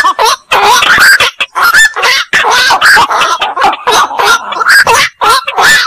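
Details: Black-crowned night heron (koak) delivering a dense run of hoarse, nasal kwak-like croaks. The calls overlap with almost no pauses over about six seconds, suggesting several birds calling together.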